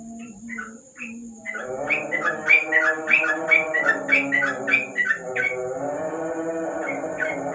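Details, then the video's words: Under a lamp at night a yellow-vented bulbul gives a few scattered whistles, then a quick run of ringing slurred notes in 'ropel' fashion, over layered lower tonal sounds and a steady hum. "Burung trucuk,An ropel malam hari dibawah lampu"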